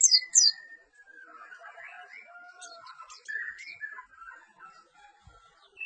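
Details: A perci bird opens with two sharp high downslurred notes, then gives a long rambling series of softer whistles, trills and warbled notes that wander up and down in pitch, with a faint thump near the end.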